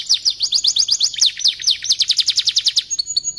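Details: Canary song meant for tutoring white-rumped shamas: a steady chain of about twenty-five quick descending chip notes, evenly spaced, ending in a short high whistle and a downslurred note.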